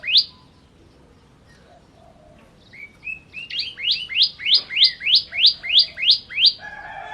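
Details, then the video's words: Singing ciblek kristal, the bar-winged prinia: a few short whistled lead-in notes build into a regular run of about eleven bright, rising chirps. "Ciblek Kristal Gacor"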